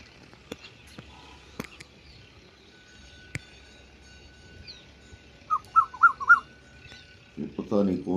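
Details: Asian koel calling from the leaves of trees near village farm fields in the early morning, hidden from view while another bird also calls; a quick run of four short whistled notes, then a man's voice, with scattered clicks around.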